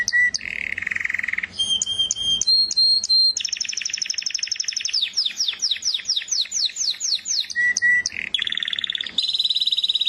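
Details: Canary singing a long varied song: buzzy held trills, fast rolling tours, a run of sweeping downslurred whistles, then bright high ringing notes, all loud and close.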